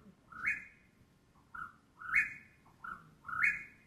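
Chuck-will's-widow singing: a soft clipped note, then a loud whistled, rising-and-falling "will's-WID-ow" phrase, repeated about every second and a half.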